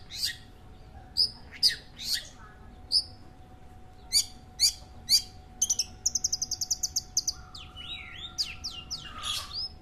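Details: Long-tailed shrike sung in a local bird-keeping pastime: spaced sharp high chips, then a rapid rattling trill, followed by lower whistled and buzzy notes.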